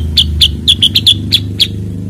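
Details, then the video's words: Cucak kurincang, a bulbul also called kutilang sutra or kuniran, uttering eight quick, bright chips in about two seconds against a low rumbling background. "kicau cucak kurincang"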